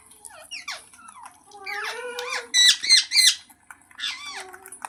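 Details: Ringneck parrot making a string of squeaky, wavering notes that rise and fall, then a few loud, rough squawks in quick succession, followed by softer chatter.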